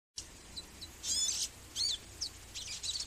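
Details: Magnificent sunbird giving thin, very high chirps and short buzzy trills in several quick bursts, the loudest run near the middle, over a quiet background with faint low hum.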